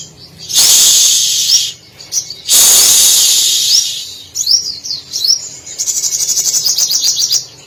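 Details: Brown-throated Sunbird, called sogok ontong locally, in active song mixed with copied canary, cililin, sparrow and lovebird phrases. Two long loud hissing bursts come first, then high upswept whistles and a fast series of sharp chirps.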